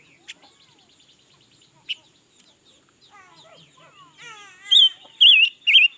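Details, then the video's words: Red-billed leiothrix, newly acquired and singing all day, recorded in 2021: quiet ticking and soft chatter build into a run of twittering notes, then three loud, fluid warbled phrases at the close. "Ngũ sắc mới hót cả ngày luôn"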